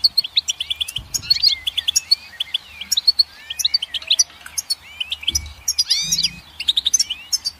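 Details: Goldfinch song with tinkling high chirps and looping, twisting whistled notes in quick succession, a few soft low thumps in the background.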